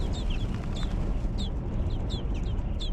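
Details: Nestlings in a nest inside a hog barn, fed by their mother: thin, high downslurred chirps repeated in small bursts, over a loud, steady low rumble of barn noise.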